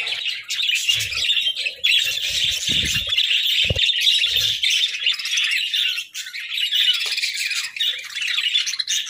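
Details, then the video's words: Pet parakeets keep up an unbroken, buzzy high-pitched warble of chirps and chatter, with a few low knocks early on. "Parakeets' Daily Routines"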